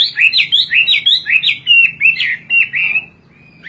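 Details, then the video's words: Hwamei, a Chinese native kept for its melodious song, pouring out fast warbled whistled phrases in the 'kowor kowor' style, several per second, before trailing off into quiet near the end. "Burung wambie gacor kowor kowor"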